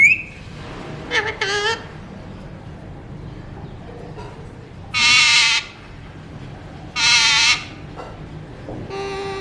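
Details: Alexandrine parakeet of a mutation colour gives loud, harsh, rasping squawks, two long screeches near the middle and shorter grating calls at the start and end, separated by quiet pauses with low background hum.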